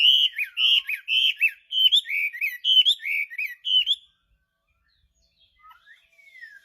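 A Chinese hwamei sings a rich, loud run of whistled, slurred phrases, rapid and varied, for about four seconds, then falls quiet with only faint distant chirps after.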